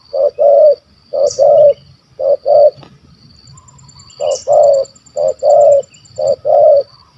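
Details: Spotted dove, a hunting target described as a stuttering, big-voiced 'kuk 1 2' caller, gives deep hollow coos in pairs and short runs about once a second, pausing midway, over a faint steady high whine and a few distant chirps.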